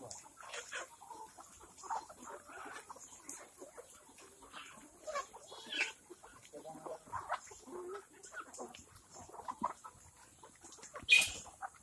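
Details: Farmed black Kadaknath chickens on organic feed, in Cuttack, Odisha, cluck and chirp in short overlapping bursts like a busy flock, with a sharp louder sound near the end.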